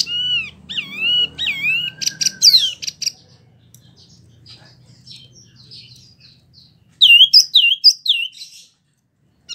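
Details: Caged wambi singing a rolling, constant song: three swooping high whistled notes, a burst of buzzy twitter, several quiet seconds with low background noise, then another run of looping high slurs.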